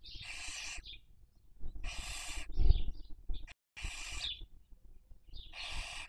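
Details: Barn owl recorded by a nest webcam in Cabañeros National Park, Castilla-La Mancha, Spain, during the 2023 breeding season while raising young. Four loud, harsh broadband hisses, each under a second, are separated by pauses, with a few faint short chirps between them.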